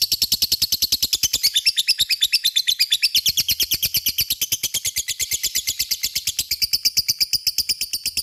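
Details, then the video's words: A lovebird's extended ngekek, a lure meant to set other lovebirds singing: dense, machine-gun chatter of sharp rasping notes, steady throughout more than eight seconds with no pause. "Pancingan LOVE BIRD gacor ngekek,mudah di respon lawan"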